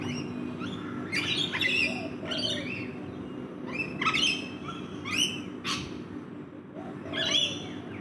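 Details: Rainbow lorikeets feeding in a backyard give harsh, shrill screeches in quick bursts, several birds overlapping about once a second, over a low background rumble.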